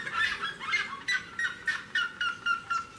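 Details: Seriema singing near the door of a house: a run of loud, harmonic yelping notes, about three to four per second, each note sliding slightly downward, with a low steady hum beneath.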